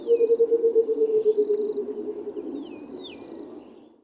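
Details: Burchell's coucal in the Kruger giving its liquid call: a bubbling run of low hollow hoots, about fifteen notes that drop slightly in pitch, slow down and fade away. Thin high insect hiss and a few falling whistles from other birds behind.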